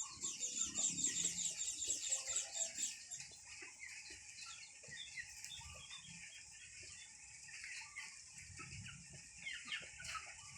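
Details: Bird calls: a rapid run of thin, high, repeated notes for the first three seconds, then sparse fainter chirps scattered over a steady high hiss of background ambience.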